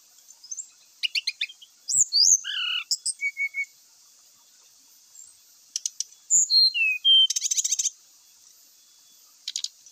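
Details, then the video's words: Brown-chested jungle flycatcher singing full song with fill-in phrases, used as a lure to prompt birds to sing quickly; bursts of high buzzy chatter alternate with clear whistled notes sliding downward, then gaps of silence and more rapid trills. "pancingan srdc bikin cepat bunyi , sikatan rimba gacor bikin emosi , srdc full isian.."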